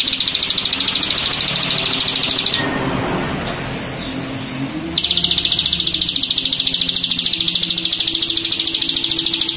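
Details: Bar-winged Prinia (mountain ciblek) singing a long, high, buzzy trill of rapid, tightly spaced ticking notes, over three a second, broken by a short pause before resuming.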